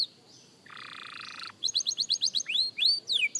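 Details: Practising young canary: a faint whistle, a buzzy rattling trill near one second, then rapid falling chips and several sweeping upslurred whistles.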